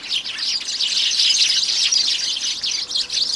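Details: At a backyard bird table in early January, sparrows chirp loudly and without pause, their short high notes tumbling over one another.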